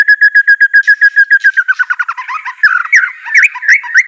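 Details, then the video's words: White-rumped shama song, a caged bird being trained to sing: a run of evenly repeated whistled notes, about four per second, breaking into fast varied trills and sharp rising chirps. "Gak Perlu Lama Murai Batu Malas BUNYI Pasti LANGSUNG NYAUT NARUNG dan GACOR"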